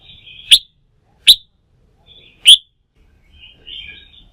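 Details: Red-whiskered bulbul being stimulated to sing for fighting-song training: three separate sharp, loud chip notes, with soft low warbling between them.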